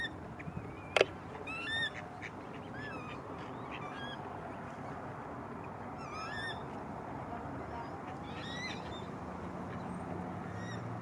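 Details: Coot chick in Malibu; repeated high, wavering, slightly rising squeaky peeps in short bursts, several seconds apart, with a sharp knock near the start and steady background noise.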